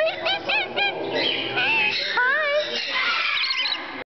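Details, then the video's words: Pet Rainbow Lorikeet, a 12-year-old male kept indoors, talking: a steady run of slurred, speech-like warbled syllables with bending tones and squeaky overtones, continuous for about four seconds before cutting off. "Lorikeet talking"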